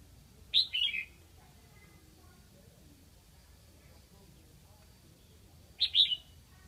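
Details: Red-whiskered bulbul used as a decoy bird from Lạng Sơn, calling to attract wild birds; a clear whistled phrase, a sharp note then a falling warble, and a second brief phrase about five seconds later, with low rumble behind.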